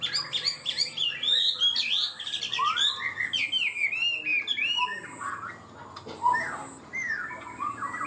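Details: Chinese hwamei in a cage, praised for singing high and complex, runs through a long, varied stream of clear whistles and swooping slurs, busy at first then easing into looser, spaced phrases, with a faint high tone behind.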